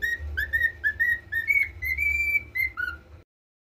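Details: Pet cockatiel learning to whistle the Brazilian national anthem: a series of clear whistled notes, rising and falling, with a longer held tone near the middle and a dropping note at the end, over a low steady hum.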